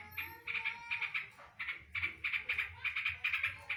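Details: Yellow-vented bulbul song carrying a greater green leafbird 'drodot' imitation: bright, chattering notes in rhythmic clusters of two or three, repeated steadily after a brief opening pause.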